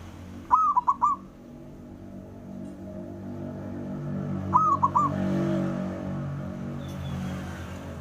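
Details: Male zebra dove calling to provoke rivals into answering: two cooing phrases, each a long wavering note then three short clipped coos, about four seconds apart, over a steady low hum.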